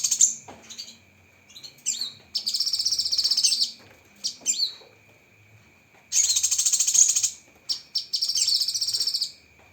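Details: Masteran training song of cucak kinoi (lesser green leafbird), full of sharp 'tembakan' phrases: scattered short whistles, then several intense bursts of fast, buzzy, very high trilling with a steady thin background tone.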